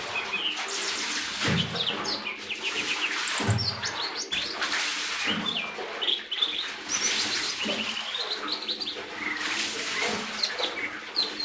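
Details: Lesser green leafbird in sustained, busy song: rapid high chirps, whistled slurs and trilled fragments running on without pause, mixed with rustling and thumping sounds.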